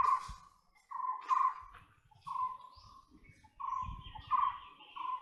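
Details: White-bellied woodpecker giving a series of loud, nasal, level notes, each about half a second long, repeated roughly every half to one second, with faint low rumbling between calls.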